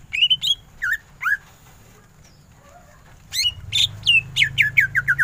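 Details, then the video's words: Cucak ijo, a greater green leafbird, in energetic tembakan ngentrok song. Rising and falling whistled slurs are followed by a quiet gap with faint low notes, then a rapid volley of sharp descending whistles over a noticeable low hum. "Cucak ijo gacor full tembakan ngentrok"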